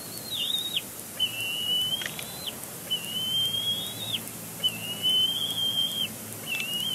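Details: Bald eagle chick at Big Bear Lake, April 27, 2022, still complaining after its father moves to a branch off the nest; long, thin, high squealing whistles that waver slightly and fall off at the end, in a steady series.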